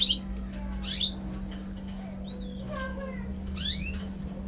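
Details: Canaries during pairing for breeding: scattered short chirps and swept notes, some rising and some falling, in quick irregular bursts over a steady low electrical hum.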